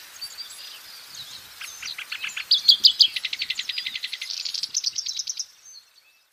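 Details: Wild black-browed reed warbler in full song: soft high notes build into a rapid, rhythmic series of clipped chattering trills, rising slightly in pitch near the end before stopping suddenly at about five and a half seconds.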